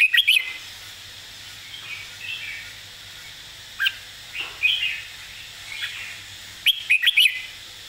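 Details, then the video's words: Red-whiskered bulbul model song for teaching birds, with short loud bursts of clipped whistled notes at the start and end and scattered softer chirps and warbles in between. "สำนวนเพลงแม่บท ร้องง่ายๆ (ไว้เปิดสอนนก)"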